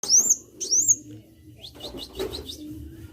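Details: Sunbird singing vigorously (gacor): two loud, high, sweeping whistled notes that dip and rise, then fainter short upward-slurred chips; a low steady hum underneath.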